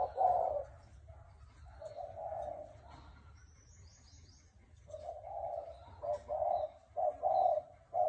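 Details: Spotted dove of a Thai strain with a hoarse voice, cooing to stir up males, females and decoy birds: soft, low coos in short bursts, pausing in the middle then resuming more quickly, over a steady low rumble.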